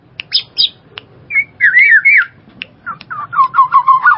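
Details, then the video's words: Black-naped oriole giving liquid, fluty whistled phrases that slur up and down, broken by sharp ticking notes, in a quick irregular run. "SUARA BURUNG KEPODANG"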